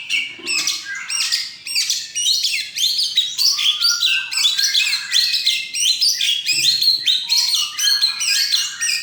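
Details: First-place white-rumped shama in a bird song competition, November 2023, delivering a continuous rapid stream of varied chirps, trills and whistled notes, dense and energetic with hardly any pause.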